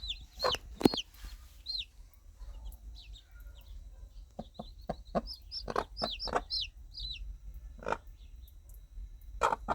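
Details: Mother hen calling her chicks with soft clucks, guiding them to warmth and food; quieter, with background hum, a series of short clucks and several high, falling chick peeps.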